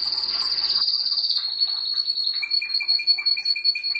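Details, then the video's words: Pet canary singing: a long sustained high whistle near the start, then rapid repeated chirping trills layered under a steady high tone. "Mon canari chant"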